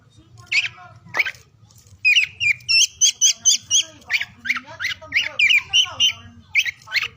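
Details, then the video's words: Oriental magpie-robin song aimed at lazy, silent birds: after a few scattered notes, a rapid run of clear repeated whistles about four per second, followed by varied slurred phrases. "KICAUAN KACER DI PAGI SIANG SORE HARI UNTUK MERANGSANG KACER BISU DAN MALAS BUNYI AGAR CEPAT GACOR"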